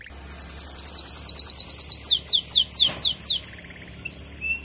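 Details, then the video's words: Canary, a female, calling to rouse the male after his moult; a quick even trill of high notes slows into broader down-slurred sweeps, followed by a few faint scattered chirps over a low background hum. "نداء انثى الكناري لتجهيز وتحفيز ذكر الكناري بعد غيار الريش"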